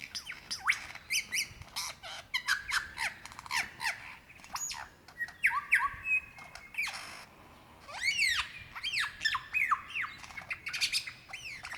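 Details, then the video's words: Male lyrebird in Dandenong Ranges National Park, Victoria, Australia, in February 2016, calling for a female to mate: a loud, restless medley of sharp squawks, arching whistles and rapid chattering bursts, including kookaburra mimicry, changing every second or so. "sounds of a Lyrebird calling for his mate"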